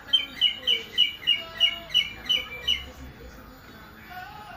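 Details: Greater green leafbird giving an unusual, strange-sounding song: a run of nine short, bright, chirping notes repeated evenly about three times per second, then ending, leaving a quiet background with faint lower sounds.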